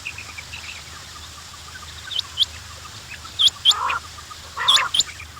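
Quails give sharp, high, rising chirps in short bursts, with a few lower clucking notes between them over a steady background hum.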